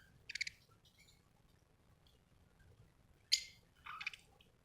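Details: Budgie chirping in short, buzzy, high bursts: two brief chirps near the start, then a quiet gap, then a sharp loud note followed by a scratchy warbled burst near the end.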